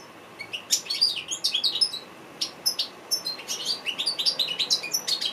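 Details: African goldfinch singing, kept for training other birds: a lively stream of quick, high twittering chirps and short trills, notes packed closely and varied, with brief pauses between bursts; quiet indoor background.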